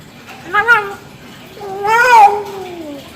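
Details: Hill myna imitating a child's voice: two speech-like vocal phrases, a short one then a longer wavering, falling one, in a small room.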